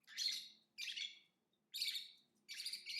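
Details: Lovebird chirping: four harsh, broadband chirp bursts spaced about a second apart, each a dense high rasping burst with a brief gap before the next.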